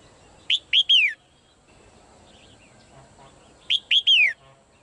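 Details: Caged female bird giving two matching three-note whistled phrases about three seconds apart, each ending in a long falling whistle, with faint soft chatter between them.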